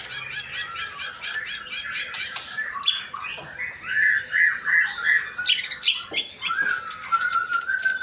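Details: White-rumped shama male singing a long, lively medley of clear whistles, trills and chattering notes, some phrases rising steeply, others held as flat whistles, a high buzzy note briefly overlapping midway.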